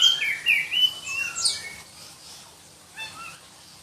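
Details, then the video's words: Black-breasted Oriental magpie-robin from Berau, East Kalimantan, a songbird valued in Indonesian song contests for its shrill voice, sings a quick run of high whistled and trilled notes for under two seconds. Fainter notes follow. "Kicau Kacer Kalimantan"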